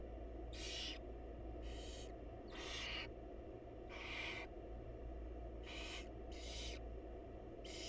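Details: Wild barn owl family in a nest box as the mother brings food to her chicks; around eight rough, airy hisses, some overlapping in pairs, over continuous low background hum.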